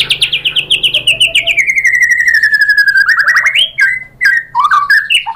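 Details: White-rumped shama song meant to set off other birds singing: a rapid pulsed trill slowly sliding down in pitch, then a rising sweep and a jumble of varied quick whistled notes.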